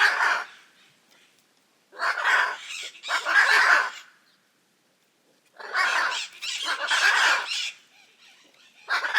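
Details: Hyacinth macaws, large parrots that live in noisy groups in Brazil: clustered bursts of gravelly, raucous squawks, two or three calls at a time, separated by short quiet gaps.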